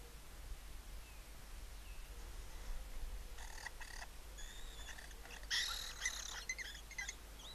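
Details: Lesser kestrels at nest-box colony entrances in Cabañeros National Park, Spain, during copulation, give harsh, rasping chatters in two bursts, the second louder and more excited, over a steady low rumble of background noise.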